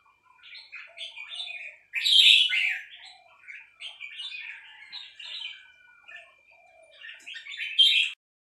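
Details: Three-syllable song from a female red-whiskered bulbul: a run of quick, sweet chattering notes that swells loudest around the second second, continues in softer warbles, and ends with a bright final flourish.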